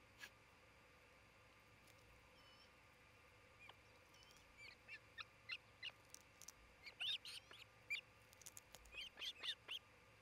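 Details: Osprey at a nest in Charlo, Montana, late June 2018, around midday: after a quiet start, sharp high chirps begin and build into rapid clusters of whistled, slightly downslurred notes over steady background hiss.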